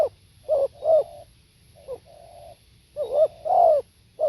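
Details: Live spotted dove cooing: paired, husky low notes, then a pause, a short note and a flat sustained coo, before the pattern starts again; background otherwise quiet.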